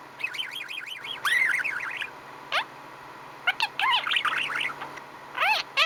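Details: A contented male budgerigar chatters in quick, wavering warbles and chirps while grinding his beak, rising and falling in bursts with brief pauses. A faint steady hum runs underneath.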